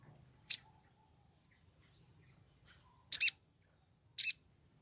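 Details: A female olive-backed sunbird in breeding condition calls to attract a male. One sharp high chip leads into a long, thin, buzzy trill lasting about two seconds, followed by two separate loud double chips.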